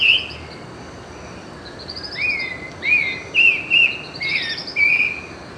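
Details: A Pale-breasted Thrush near Manaus, Amazonia, sings its slow, melodic song of clear, mid-pitched whistled phrases, some soft and almost whispered and some louder, with short pauses between them, over a faint background hiss.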